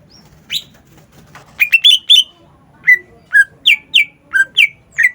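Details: Cucak ijo, a caged bird singing energetically: sharp rising and falling whistled notes, some slurred downward, delivered in quick bursts with short pauses over a faint low hum.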